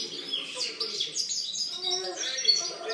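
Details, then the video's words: Song of a European goldfinch from 2013, a dense, tumbling stream of high liquid twitters and chirps, with faint lower murmuring sounds underneath. "Chant chardonneret"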